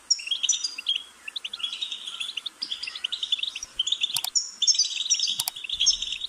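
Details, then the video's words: Goldfinch song of rapid high twitters and short trills over light background hiss, with two sharp clicks near four and five seconds. "Goldfinch's Singing"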